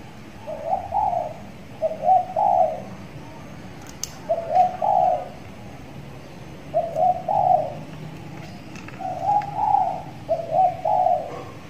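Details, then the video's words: Young caged spotted dove, six months old and tethered, starting to call often: six low cooing phrases of paired rolling notes, given steadily over about twelve seconds, with faint clicks in the background. "tekukur di sangkar layang || ajaran sudah mulai gacor"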